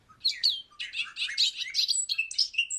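A bobolink gives a rapid, bubbling jumble of high, tinkling and buzzy notes that run together for about three seconds. No other sounds are heard.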